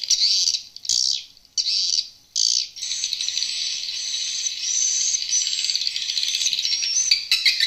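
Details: Edible-nest swiftlet lure call from an old, unedited stereo recording, played through an amplifier and tweeters to attract swiftlets to new or undeveloped swiftlet houses. Short high chirping bursts with gaps, then a steady dense twittering.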